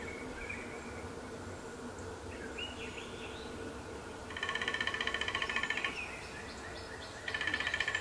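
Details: Male downy woodpecker drumming on a 150-year-old black walnut in Appalachia, in terraced farmland. Two rapid rolls of taps, one lasting about a second and a half and a shorter one later, over a steady hum with faint bird calls.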